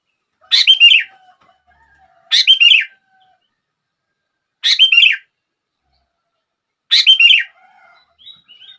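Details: Sooty-headed bulbul song used to set other bulbuls singing: short bubbly phrases of a few quick descending notes, repeated roughly every two seconds with clean silence between.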